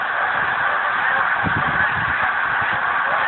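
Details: Mass takeoff of thousands of geese from a frozen lake in Pemberton, New Jersey, winter 2010, heard as a steady roar of countless honks with a short flurry of low wing thumps.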